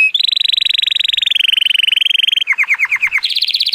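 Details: Training song of a male Timbrado Español canary, born 2018 and rated 83 points, on a sunny day: a long even bubbling trill, then a run of about eight quick dropping notes, then a higher rolling trill.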